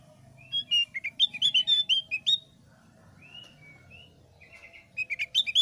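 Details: Javan grey-throated white-eye, thick-browed type, giving ngeplong sambil ngeriwik song meant to draw other birds into singing. Fast high twitters, then a few slower drawn-out whistled notes, then the twittering resumes.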